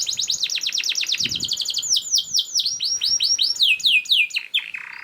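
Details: Canary singing a speedy, tightly packed song intended for tutoring other canaries: a long run of quick sweeping notes, slower looping whistles, then a short buzzy trill, over faint background noise.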